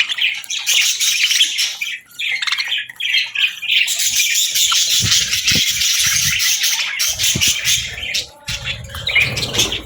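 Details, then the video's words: Feeding-time budgies produce a steady wall of hissy, scratchy chatter and chirps, with irregular rattling and low thuds, possibly wing flutters, scattered through the second half. "Bird Chirping Sounds to Attract Birds | Budgie Birds Feeding Time"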